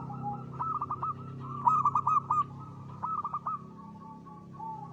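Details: Zebra dove of a local strain in full song, ngristal style: clipped, bouncing coo notes strung into rapid rolling phrases with longer sustained coos between them. A constant low droning hum runs underneath.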